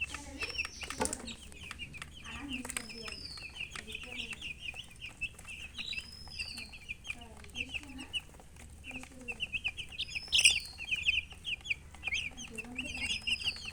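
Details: Chickens with a hen, giving quieter, continuous high chirps in long runs, occasional louder sharp peeps, a few gliding whistled notes, and soft low clucks beneath a steady hum.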